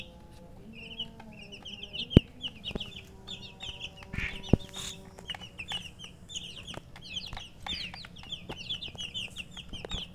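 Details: Chicks of domestic chicken chirping in a group, many overlapping high falling peeps repeated rapidly and continuously, over a low background hum with a few clicks and a steady tone.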